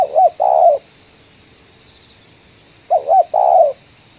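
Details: Spotted dove calling in the 'ngeruk' manner at a coffee plantation. Two phrases, each a double-lilting note and a rasping, sustained coo, separated by about two seconds of quiet.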